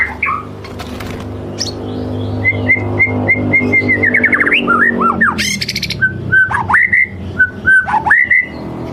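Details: White-rumped shama in full lure song: a run of identical short whistles repeated quickly, then swooping slurred phrases, a harsh rasping burst and falling whistled notes, over a constant low droning hum.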